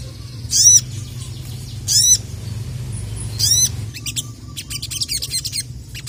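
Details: Caged Crested jay, kept as a songbird, calling out to rivals in an excited mood: three loud, sharp notes with stacked sweeping tones, about a second and a half apart, then a stretch of quicker, quieter clicking chips over a low background hum.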